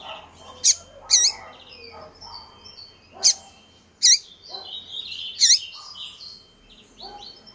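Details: Female coleiro calling a great deal, a call said to rouse any male coleiro: sharp, loud chirps given singly or in pairs at irregular intervals, with softer warbling of other birds behind.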